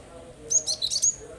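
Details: Cinereous tit (gelatik batu) used as a lure to get other birds singing: a fast run of four or five thin, high whistled chirps within half a second, with a low humming background.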